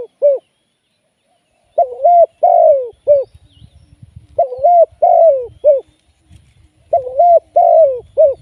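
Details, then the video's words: Live decoy spotted dove used for trapping gives soft, hollow coos in four-note phrases, the second note longest, the phrases spaced roughly two and a half seconds apart, with faint low rustling and knocks between them. "เสียงนกเขาใหญ่ ต่อสด"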